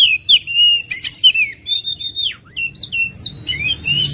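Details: Oriental magpie-robin producing a varied chain of whistled notes, including a long descending slur and upward-flicked chirps, with a faint hum underneath.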